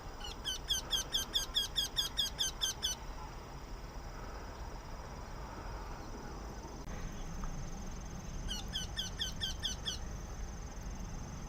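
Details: Eurasian wryneck calling excitedly in autumn: two bursts of about ten quick, high, nasal repeated notes, roughly three per second, separated by several seconds of quiet background hum.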